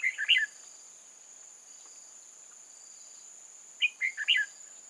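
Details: Decoy red-whiskered bulbul singing at a trap to lure wild bulbuls, old-forest bird, 8 October 2018: a quick burst of lively chirped notes, then a long pause with faint hiss, then another rapid four-note warbled phrase.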